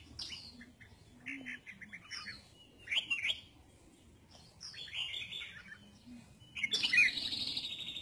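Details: Sunbathing red-whiskered bulbul giving separate bursts of clear, warbled notes spaced a second or two apart, with a louder, fuller phrase near the end and quiet gaps between.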